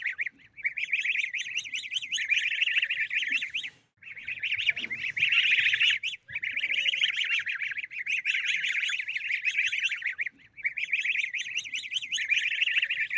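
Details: Ducklings lying in the grass call in bursts of shrill, rapidly repeated peeps, the chorus breaking off briefly every few seconds before resuming, with a faint rustle in one gap.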